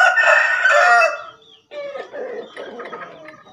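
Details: Two male Javan green junglefowl calling vigorously; one loud, hoarse, harsh crow burst lasting about a second, followed by quieter scratchy calls and background rustling.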